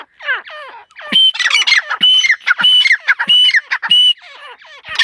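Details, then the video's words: Soft descending notes from a female partridge lead into a loud, continuous series of harsh rasping squawks, each burst carrying a high whistled tone. "mdi ke Awaz # tetar sound # Teetar Voice"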